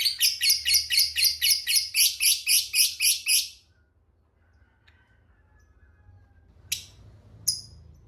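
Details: Lovebird ngekek trill, meant to provoke other lovebirds: a steady, evenly spaced series of harsh, high chattering notes, about four per second, lasting over three seconds, then quiet with two brief sharp chips.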